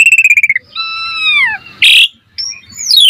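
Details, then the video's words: Asian pied starling in full song, used to train other starlings: a rapid stutter of notes, then long clear whistles sliding downward, a harsh rasping burst, and a final high descending whistle. "Jalak Suren Gacor Full Isian Cocok Buat Masteran Suara Burung Jalak Agar Gacor Full Isian Mewah"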